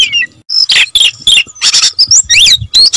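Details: Short burst of oriental magpie-robin song: harsh buzzy notes alternate with thin high whistles and crossing rising and falling slurs, loud and hurried.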